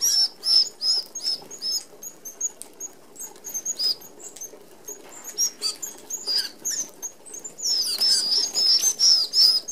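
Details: Red-browed finches, an Australian native, feeding as a flock at a mesh aviary feeder: a busy stream of thin, high squeaky calls, several per second, overlapping from many birds, with soft wing whirring and pecking patter beneath.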